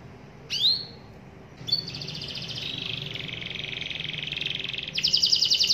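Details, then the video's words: Canary song used as a lure sound to prompt other canaries into lively singing: one rising chirp, then a long fast buzzy trill held steady for about four seconds, ending in a brighter rattling phrase, over faint low background hum. "CUIT CUIT BUNYI PANCINGAN KENARI AGAR GACOR"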